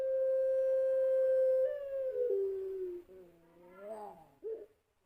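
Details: Puter pelung dove from a national champion line, a lure recording of its long voice: a very long, steady, pure hooting tone held about a second and a half, then sliding lower and ending in short wavering coos.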